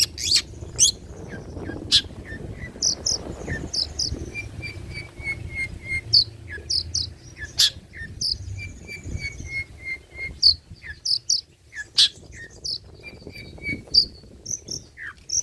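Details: Long-tailed shrike (cendet, pentet trotol) in old-style song material for luring and tutoring: scattered sharp high chips and short whistled phrases separated by pauses, some rapid descending note runs, with a soft low background hum.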